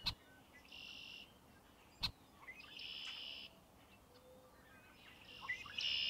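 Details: Song of a red-winged blackbird: a series of buzzy, vibrating trills of about half a second each, coming every two seconds, with sharp clicks and soft short notes between.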